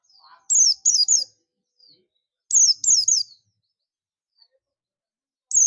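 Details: Oriental white-eye of the buxtoni type calling to its companions, the ngalas style: quick triplets of high, sharp, descending chirps, repeated after a pause of about two seconds.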